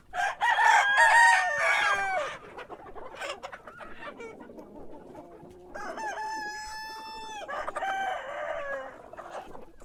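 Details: Cock crowing in the morning: a loud, slightly ragged crow over the first two seconds, a calmer gap with soft clucking, then a second clear crow of about two and a half seconds.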